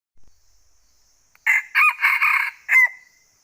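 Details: Male red junglefowl crowing in the forest of northwestern Vietnam during the jungle-fowl trapping season: a harsh, broken four-part crow lasting about one and a half seconds, ending in a drawn-out tail.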